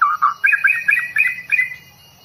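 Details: A newly forest-caught long-tailed White-rumped Shama from Bahorok delivers a brief burst of loud chattering notes, two lower rolling syllables followed by rapid clustered chirps, then quiet.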